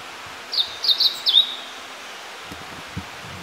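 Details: Blue-and-white flycatcher (Cyanoptila cyanomelana) in the summer-bird season in inland Kita-Harima, Hyogo, Japan, gives a brief song phrase of four quick, high, slurred whistles in about a second, then only faint rustling follows.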